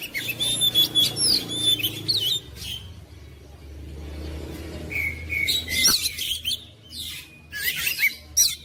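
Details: Oriental magpie-robin singing energetically, a kept songbird: rapid high whistles and chatter, a lull with low rumbling traffic noise in the middle, then more sharp whistled notes and chirps resume.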